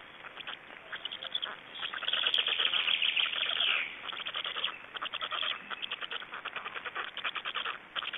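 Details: Black storks at the nest in Estonia, 26 May 2012, during feeding: rattling pulsed calls swell into a sustained strained wheeze, then return to quick regular clicking rattles.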